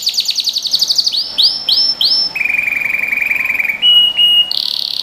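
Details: Canary song for training young birds: a quick series of descending notes, three or four slow upward-swelling whistles, then a long even trill and a high buzzy rolled ending.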